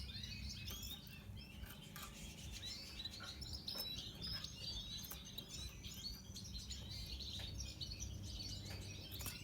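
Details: A pastel-mutation red siskin (Spinus cucullatus) sings a busy, high twittering song of rapid chirps and trills, with a steady low hum and light clinking underneath.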